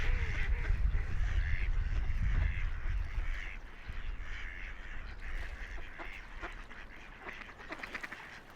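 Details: Ducks by a quiet river, floating, splashing and playing; harsh nasal quacks come in rapid runs, loudest early on, over heavy low rumble and steady water flow that fades toward the end.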